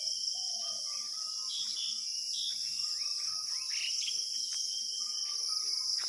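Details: Several birds chirping and whistling, with drawn-out tones and quick sliding chirps, set against a steady shrill insect hum.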